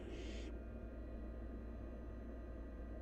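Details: A brief breathy hiss opens, from a wild barn owl nestling gulping down half a rabbit, followed by quiet apart from a steady low hum.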